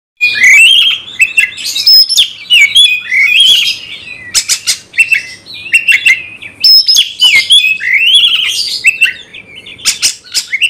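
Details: Caged Oriental magpie-robin singing to provoke a fighting response: loud varied song of whistled slurred phrases, rising and falling notes mixed with harsh rasping bursts, continuous with brief pauses.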